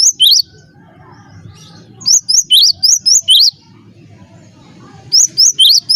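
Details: Cinereous tit singing as a master song for training birds to sing: bursts of sharp, high chirps alternating a lower rising note with a higher one, each burst about a second long, separated by quiet pauses with faint low rumble.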